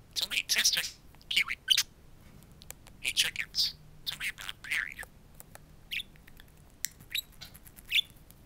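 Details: Two talking pet budgerigars speaking to a mirror indoors: quick, whispery, speech-like chatter in short rising and falling syllables, busy for the first five seconds, then sparser single notes.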